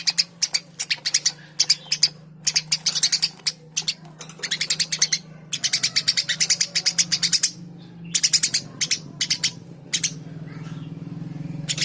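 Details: Eurasian tree sparrow chattering busily: long bursts of rapid, high, clipped chirps, nearly nonstop with short breaks, over a faint low steady hum.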